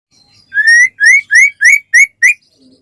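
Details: White-rumped shama in full song, used to prompt other shamas into singing: six loud, clear whistled notes, each sliding upward, given in a steady run with short gaps and a faint low note at the end.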